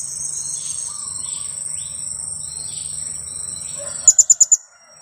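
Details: Two-week-old young blue-crowned hanging parrot kept as a lure for trapping: a quick run of five thin, very high, sharp kiak notes near the end. A steady high insect drone runs throughout.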